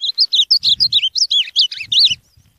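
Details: An ultramarine grosbeak (Cyanoloxia brissonii) sings a quick, rich warbled phrase of about a dozen high, sweeping notes lasting two seconds, with faint low thumps underneath.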